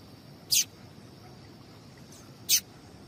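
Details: Female double-collared seedeater chip calls meant to excite males into singing: two brief, piercing high notes two seconds apart, with a faint softer note between them and quiet hiss.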